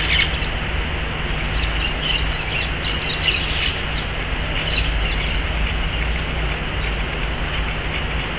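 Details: Yellow-chevroned parakeets at a red guava tree by the Piracicaba city hall give rapid strings of high, thin, squeaky chirps in two chattering bursts, with constant low traffic rumble underneath.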